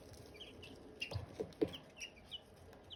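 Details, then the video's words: Silkie chicken chicks and hatching eggs: short high peeps, some falling and some rising, scattered through the clip, with a few soft low knocks and taps in between. "Silkie chicks chirping, Hatching eggs chirping sounds"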